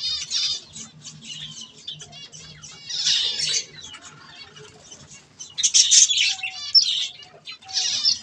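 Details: Budgerigars eating softfood: bright, scratchy high warbling chatter in bursts, loudest around three and six seconds, with quieter twittering between and a faint low hum underneath.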